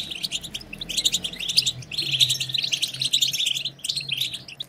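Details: European goldfinch batbata, a twittering used to rouse other goldfinches to sing; steady streams of quick high chirps and buzzy trills in overlapping bursts, with a faint low drone underneath.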